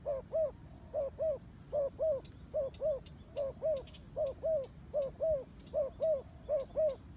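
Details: A turtle dove coos steadily, giving a long run of paired hollow notes repeated about every half second, each double coo even in pitch and loudness, with faint background hiss.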